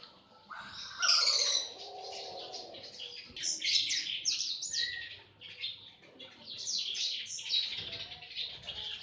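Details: Lovebirds kept in a breeding aviary in Aceh chatter together, many shrill, scratchy chirps overlapping in a dense, continuous high twittering that rises and falls in waves.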